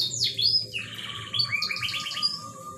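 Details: Canary song for stimulating a bird reluctant to breed; a swooping whistle gives way to fast bubbling trills over a long steady lower whistled tone, ending in sharp repeated high chips.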